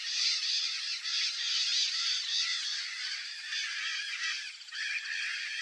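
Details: White-eyed parakeet (Psittacara leucophthalmus) in Brazil guarding its nest entrance in the breeding season, giving harsh, grating screeches in a near-continuous rasping chatter, rough pulses about three per second.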